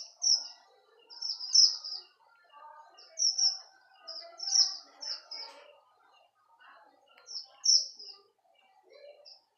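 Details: Strawberry finch, a caged songbird kept for training other birds, giving high thin chirped notes in short bursts separated by pauses, with softer lower twittering underneath.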